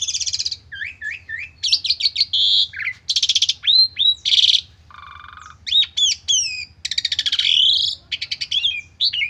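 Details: An Asian pied starling in a stressed, full-fill lure song sings a fast, varied medley of bright whistles, rising and falling slurs, chattering rattles and harsh buzzy notes, almost without pause.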